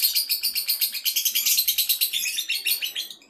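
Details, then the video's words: Male lovebird ready for contest, pouring out an unbroken, high, rhythmic chatter of sharp pulsed notes, roughly three per second, fading slightly at the end. "CARA Mengetahui LOVEBIRD Jantan siap LOMBA??"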